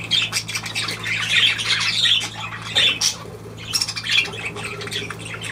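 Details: Budgerigar chatter with bright, raspy warbled chirps in quick bursts, a short quieter gap in the middle, over a steady low hum.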